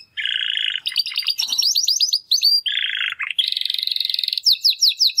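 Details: Two young male Timbrado canary brothers, hatched in the second breeding of 2020, making their first singing attempts after their first molt: rapid high trills, buzzy rolls and descending slurred notes, changing phrase every second or so.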